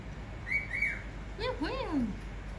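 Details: Pet cockatiel, male, kept indoors, whistling: two short clear whistles, then a pair of descending, bending whistles, against a steady low background hum.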